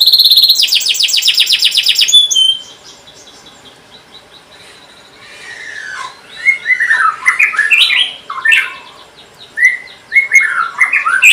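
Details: Canary singing a long lure song meant to prompt young canaries to learn and answer: it opens with a rapid buzzy trill of about two seconds, pauses briefly, then moves into varied, slurred whistled notes and chirps rising and falling.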